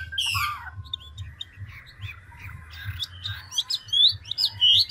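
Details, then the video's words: Old wild-caught ngũ trường hwamei with fast, continual voice switching: a harsh burst, then soft twittering, then a build to loud, sharp whistled notes slurring up and down. A low throbbing hum lies beneath. "Họa mi ngũ trường đảo giọng tốc độ"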